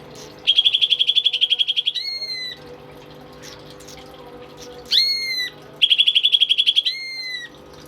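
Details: Tame pet greater green leafbird in full song, kept as a tutor for other songbirds: a fast buzzy trill lasting about a second and a half, then a long pure whistle, falling slightly, repeated three times with short silences between.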